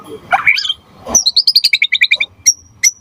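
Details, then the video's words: Song of a white-rumped shama used to trigger other birds into song: a rising slurred phrase, then a rapid series of clear high notes alternating in pitch, closing with two thin whistles. "Suara Murai Batu Gacor Biar cepat BUNYI Auto NYAUT buat Pancingan & Masteran Burung Murai"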